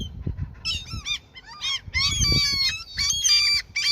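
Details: Seagulls being fed by an angler in their territory give loud, harmonic, arching squeals in quick overlapping bursts, several birds calling at once, with low rumbling handling noise underneath.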